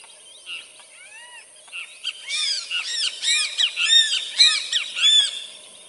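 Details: Wattled Jacana in South America guarding its chicks; a few soft arched notes, then a rapid chattering series of sharp, rattling, down-slurred notes repeated in quick bursts, with a constant high background hiss.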